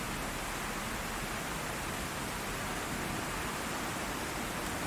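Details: Steady broadband rushing noise like rain or falling water, with no other sounds.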